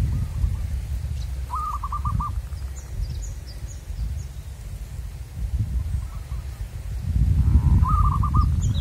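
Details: Local wild zebra dove heard during luring: two clear trilled coo phrases of rapid pulsed notes about six seconds apart, with a faint softer trill between them, small distant chirps and rumbling wind.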